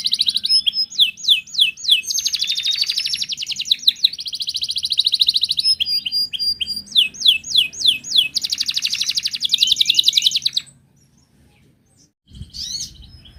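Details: Wild Atlantic canary singing, a song meant to prompt other canaries to sing: alternating fast rolling trills and sharp downward-sweeping whistles, repeated phrases for about ten seconds, then a pause and a brief final note.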